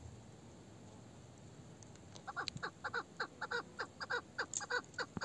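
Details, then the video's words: After two quiet seconds, an old female chukar partridge, called meri, begins a run of short, harsh chuk notes at roughly two per second, with a male-like voice. "Aranan yaşlı dişi(meri) keklik sesi (Erkek sesli meri keklik sesi)"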